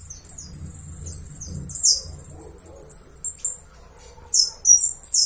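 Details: A Uruguayan saffron finch, a tutor bird, sings high, sharp chirps and short bursts of notes in quick, uneven phrases, with a faint low hum behind.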